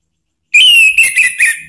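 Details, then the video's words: Lure song of an orange-headed thrush, played to make another bird answer: one long, clear whistled note, slightly falling, then a few short wavering whistles. The recording is clean. "isian TAJAM !!! bikin ANIS MERAH EMOSI NYAUT NGEPLONG ¦ PANCINGAN AM ¦ TERAPI MACET"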